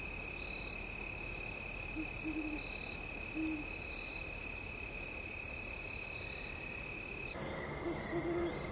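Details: Great horned owls at sunset on Mt Nittany give a few low, muffled hoots in brief clusters, with a further soft burst near the end, against constant high insect buzzing.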